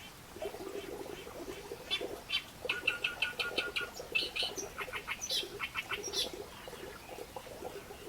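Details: Reed warbler delivering fast, grating chattering phrases, with creaky repeated notes and a few shrill high squeaks, over a steady low background murmur.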